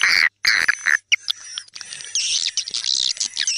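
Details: Swiftlets "tarik senja" lure call, a composed dusk attraction sound for swiftlet houses: sharp, high chirps and buzzy twitters in quick, irregular bursts, about two a second, blending into a dense, rasping chatter.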